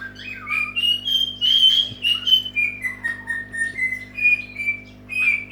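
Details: A pet Senegal parrot giving its wake-up call gives a run of clear, whistled notes that rise and fall without pause, over a steady low indoor hum.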